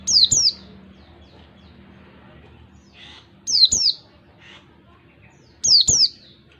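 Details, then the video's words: Oriental white-eye from the wild, used to lure caged white-eyes: three well-spaced bursts of two quick, high, downslurred whistles each, about three seconds apart, with soft low background noise. "pancingan pleci ngalas 1 2 3 ketukan terampuh buat pancingan segala jenis pleci"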